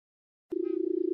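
Barred buttonquail giving a deep, steady humming drone with a fast, even purring throb, starting abruptly after half a second of silence.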